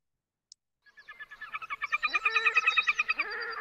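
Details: A Red-necked Grebe pair duets in a fast run of harsh, laughing, braying notes, about three per second, swelling louder and ending in drawn-out wails. Such calls carry far over open water.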